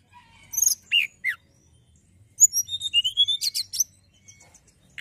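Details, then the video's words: Hill prinia in full song: a few sharp downslurred notes, a pause, then a quick run of clear rising whistles and high chips ending in a buzzy flourish. "tledekan gunung gacor"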